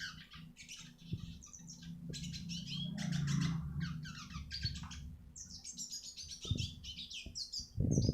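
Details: Eurasian siskin song for training other birds: harsh, buzzy twittering bursts and high chirps mixed with strong low rumbling noise, plus thumps near the end.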